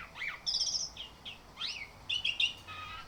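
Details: Orange-headed thrush singing in the morning, played as a lure to coax continuous full song; varied high phrases mix swooping slurred notes, a sustained thin whistle, quick trilled bursts and a low steady whistled tone at the end.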